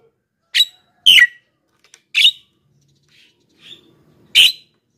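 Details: Black-winged myna in energetic song, meant to draw in wild birds and young birds and to coax reluctant singers. Four loud grating bursts, one ending in a falling tail, mix with softer short notes.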